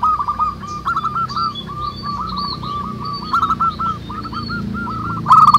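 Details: Local zebra doves singing busily in the wild. A near-continuous run of short, bubbling cooing notes, with overlapping birds, plus faint higher chirps from other birds and a sharp clatter at the end.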